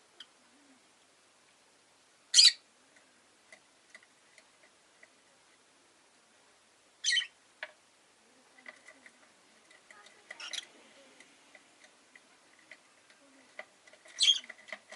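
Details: Rosy-faced lovebird uttering three loud, harsh, high chirps spaced several seconds apart over a low hum of faint background noise and small clicks.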